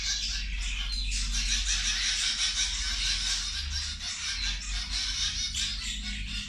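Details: Zebra finches at feeding time: a dense, continuous chatter of high, nasal chirps from several birds, with a steady low hum underneath.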